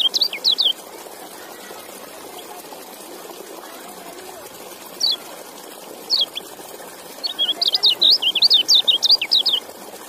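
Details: White-eye (kecial) with a short opening trill, a few separate high chips, then a longer rapid stream of thin, up-and-down whistled notes, all over a continuous watery hiss.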